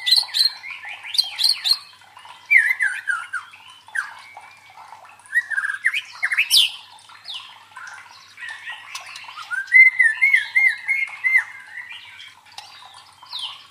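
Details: White-rumped shama song used to train fighting birds: a varied, fast stream of whistled and harsh squawking phrases, rising and falling notes, with brief pauses and a run of rapid wavering whistles near the end.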